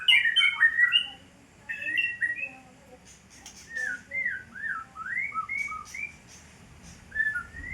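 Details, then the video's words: Fighter-style murai batu song from a White-rumped shama: a burst of rich overlapping whistles, then a string of short upslurred and downslurred notes spaced by gaps, with a few harsher squawky notes. "murai batu fighter"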